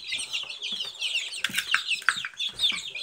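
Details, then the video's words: Silkie chicks cheeping in a group, rapid high peeps and short sliding chirps crowding one another, with a few soft low knocks between calls. "Цыплята шелковые"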